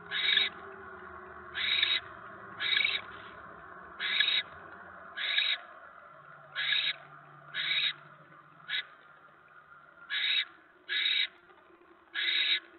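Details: Evening mouse delivery at a barn owl nest, 10 November 2017: a long series of short, harsh hissing screeches, about twelve in thirteen seconds, evenly paced near one per second, with low rumbling background noise early on.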